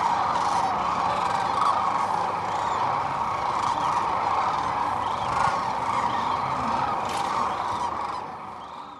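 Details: Sandhill cranes stopping over in spring on the middle Platte River, Nebraska, where they feed and rest. A dense chorus of calls from many birds swells and pulses, then fades slightly toward the end.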